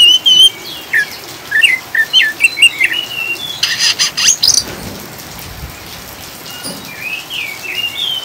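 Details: Oriental magpie-robin song mixed with rain sounds as a calming lure for caged birds: a few whistled and twisting chirps, a burst of splashing noise midway, then quieter notes over steady rain.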